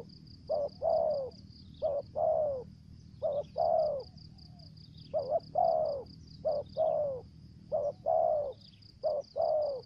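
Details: Lure spotted dove calling in the 'thổ dế' voice style with 'mai rừng' variations: seven paired coos, each a brief quavering note then a drawn-out descending one, evenly repeated against a faint pulsing high-pitched drone.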